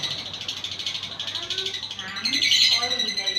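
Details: Lure track of lovebird ngekek for making lovebirds sing: continuous rapid high chattering with lower wavering notes beneath, rising into a louder, brighter trilling burst in the second half.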